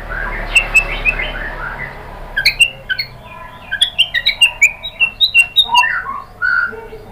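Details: White-rumped shama (murai batu) singing, stirred by a lure recording to show off its repertoire of rapid 'tembakan' phrases: sharp chirps and short whistled notes in quick bursts. A fainter low hum runs underneath.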